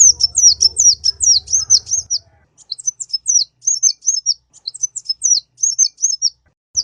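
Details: Sunbird song used to teach other cage birds. Shrill, high-pitched descending chirps come in rapid bursts of three to five, split by short silences. A faint low rumble fades out early.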